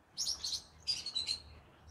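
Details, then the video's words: Green-cheeked conure in the evening giving two short clusters of shrill, buzzy high chirps over a low background hum. "good evening everyone come hear me sing together Green Cheek Conure Parrot Bird"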